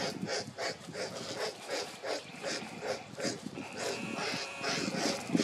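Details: In Lafayette County, Mississippi, on a cold, cloudy noon, 18 January 2024, two young black vultures beg a parent for food; rapid series of coarse, wheezing hiss pulses repeated roughly three times a second, steady and insistent.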